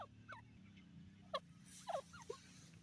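A francolin gives short, harsh, ringing notes in an uneven run over a steady low mechanical hum.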